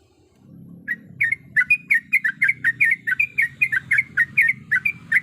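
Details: Breeding-condition female sooty-headed bulbul calling to a male, giving a long rapid series of bright, even chirps, roughly three or four a second, over a steady low rumble.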